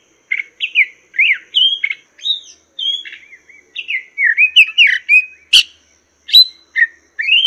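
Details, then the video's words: A Chinese hwamei sings a fast, varied run of clear, high whistled phrases that twist up and down, with one sharp click partway through. "Masteran Burung Poksay Mandarin"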